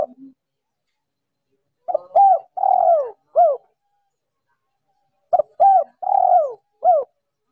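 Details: Female spotted dove calling to stimulate males, a wild-type decoy call with background noise removed: two short coos, a long downward-sliding croo and a final coo, heard twice with a quiet gap between phrases.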